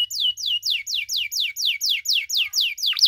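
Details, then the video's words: Canary in long cengkok song to provoke rival canaries: loud whistled notes each falling steeply from high to mid pitch, repeated steadily about three times a second, ending in a quick double swoop. "KENARI CENGKOK DURASI PANJANG!! AUTO MANCING EMOSI KENARI LAIN"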